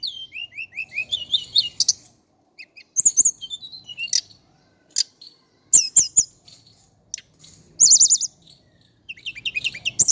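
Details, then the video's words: Indigo flycatcher, known in Java as tledekan gunung or sikatan cacing, singing a varied high twitter: descending slurred notes, then scattered sharp chips and a fast trilled burst near the end, with silent gaps between phrases. "KICAU BURUNG TLEDEKAN GUNUNG JAWA/SIKATAN CACING"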